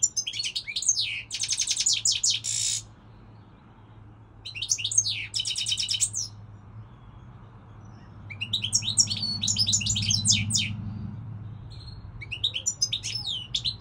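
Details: European goldfinch singing this season: bursts of rapid, tinkling twitters and buzzy trills at high pitch, three phrases separated by pauses, over a steady low hum.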